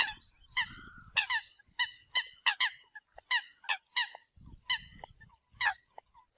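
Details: Eurasian coot giving a flock-gathering call: a series of clear, nasal, trumpeting honks, often doubled, about two each second, with brief low rumbles between.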